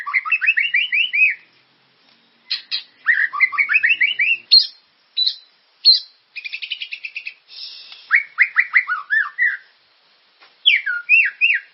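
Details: White-rumped shama song used to stimulate caged birds to sing: rich varied phrases of rising whistled notes and rapid buzzy trills, delivered in bursts separated by short pauses.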